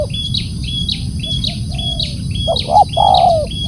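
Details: Spotted dove gives one loud phrase near the end: two clipped coos and a long descending coo. Before it comes a softer fading coo, while another bird repeats high, thin chirps about every half second.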